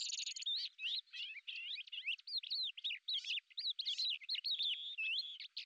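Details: A lesser grey shrike on its hunting flight sings a rapid, varied jumble of bent whistles and scratchy chatter. It opens with a short buzzy rattle, then runs on almost without a break.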